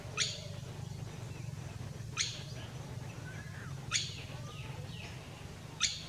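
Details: African goshawk calling: four sharp, abrupt clicking notes, each a quick upward snap, spaced roughly two seconds apart over a steady low hum, with faint thin whistles from other birds in between.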